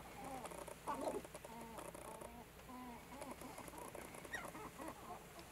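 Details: Sharp-tailed grouse dancing on a lek near Baudette, Minnesota, with low hollow cooing notes and clucks in short series, plus scattered higher cackles, over steady wind and background hiss.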